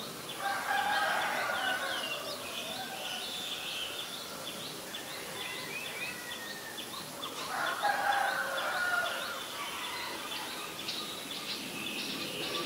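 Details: Black-collared starling recorded 17 April 2022 in Ubon Ratchathani, Thailand: two bursts of loud, harsh, grating calls about seven seconds apart, between them a constant chorus of rapid high chirps from other birds.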